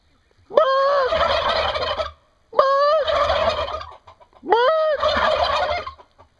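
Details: Turkeys gobbling in Brazil, three loud rattling gobbles in a row, each starting with a rising yelp and lasting about one and a half seconds, spaced roughly two seconds apart.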